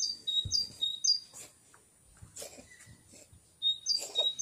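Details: High two-part whistled phrases from a singing bird in May 2021, given in short bursts. Loud knocks and rustling noises partly mask them.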